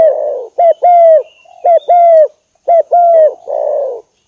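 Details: Spotted dove luring call meant to anger a rival bird: clear, mellow coos in paired notes, a short coo followed by a longer falling one, repeated twice with a rougher hoarse coo at the end.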